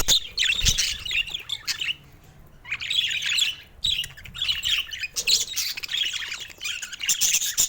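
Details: Budgerigar baby's first calls in bursts of chirpy, warbling chatter separated by brief quiet gaps of about a second.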